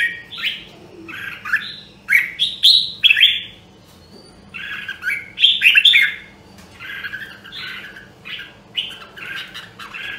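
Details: Red-whiskered bulbul of the rare Nam Dong, Hue voice line, singing during voice training: short, bright warbled phrases, each under a second, broken by brief pauses and repeated through about ten seconds, with some shrill overlapping notes.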